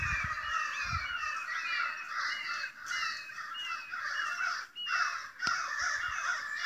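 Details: Large flock of crows near a house, loudly stirred up by something unseen. Overlapping harsh caws and rasping calls pile into a constant noisy chorus, with a few low thumps early on and a sharp knock near the end.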